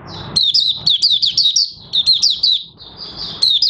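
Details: Oriental white-eye starting into song on 30 August 2022, new white feathering nearly complete; rapid high twittering notes slurring downward in two quick runs, with a faint low background hum.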